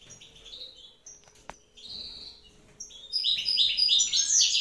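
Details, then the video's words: Wild European goldfinch, one of a pair, singing in the evening while the female incubates eggs: scattered thin high notes at first, then a loud, dense burst of rapid liquid twittering with buzzy and tinkling notes over the last second and a half. "chant chardonneret sauvage,"couple" غناء رائع في المساء لطير الحسون اثناء حضن الأنثى للبيض"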